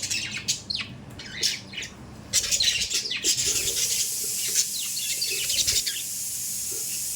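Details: Kept budgerigars make sharp high chirps and scratchy notes, after which a steady hissing noise rises and runs beneath faint continued chatter.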